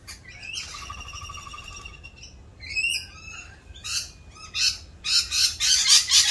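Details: Rainbow lorikeets in raucous mating-season mood give a sustained whistled tone, then rising slurred squeals, ending in dense harsh screeching that grows loudest at the close.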